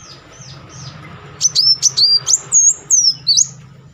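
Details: Sunbird in full rolling song, used as a lure to stir silent birds into singing: quiet opening, then a quick series of thin, very high chirps and slurred whistled notes, about two or three a second.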